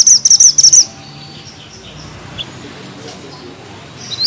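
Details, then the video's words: Bushchat, known locally as mantenan gunung, singing vigorously: a brief, very high, rapid rolling trill for under a second, then near silence with a faint high note at the end. "Mantenan gunung gacor ngeroll rapat,nembak tajam!!"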